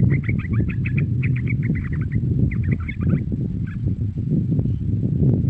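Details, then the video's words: A young yellow-vented bulbul gives calling sounds, quick bubbly chattering bursts that are thickest in the first three seconds, over a heavy low rumble. "Suara Panggilan trucukan muda"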